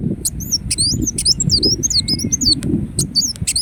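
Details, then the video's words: Indonesian ruby-cheeked sunbird (kolibri wulung) sings a rapid, chattering string of high, thin, squiggly notes, briefly joined by a soft drawn-out whistle, with low background rumble underneath. "Kolibri Wulung Gacor Dorr Bocor Corr"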